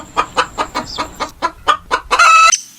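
Hens cluck in quick, rough pulses about four or five per second, ending in a louder, drawn-out squawk.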